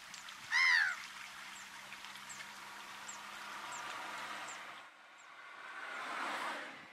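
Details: Little gull in the Camargue, France, August 2014: one loud, nasal, downslurred call with rich harmonics near the start. Faint high ticking notes repeat behind it, over a low steady hum and a broad wash of outdoor noise.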